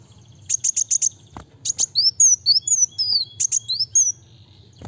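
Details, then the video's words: Kolibri wulung sunbird in rapid, dense song: a quick row of four buzzy high bursts, then sweeping whistled notes that rise and fall, more buzzy bursts, over a faint low background hum and a single knock. "Kolibri wulung(kowul) gacor speed rapat"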